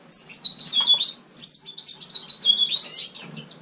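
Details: House finch kept indoors, recorded in a communal room during winter, delivering a fast jumbled warble of high chirps and descending whistled slurs in two bursts separated by a brief pause.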